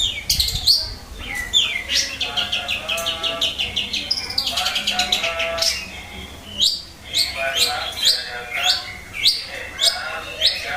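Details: Long-tailed shrike, a kept songbird that starts answering after a pause. It gives a dense, varied run of high chirps, sharp sweeping notes and fast trills with few breaks, over faint background noise.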